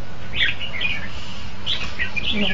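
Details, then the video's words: Red-whiskered bulbul, 2015, singing two short warbled phrases of slurred whistles that dip and rise. Background hum and low murmur throughout. "Tiếng chim chao mào hay hay nhất 2015"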